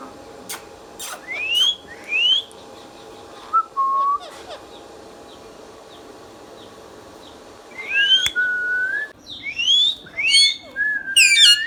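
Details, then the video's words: Talking pet ringneck parrot whistling in bursts: sharp rising sweeps and short level notes, a pause, then a denser run of quick upward and downward whistles, with soft clicks and faint outdoor background. "Ringneck Parrot natural sounds"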